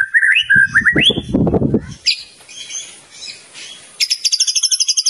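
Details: Champion white-rumped shama gives a few rising and falling whistles, masked by a burst of low rumbling noise, then a quick high trill of repeated notes.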